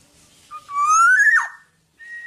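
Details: Single rich whistle from a tame, uncaged black-naped oriole, sliding steadily upward then dropping abruptly, followed by a brief, higher level note.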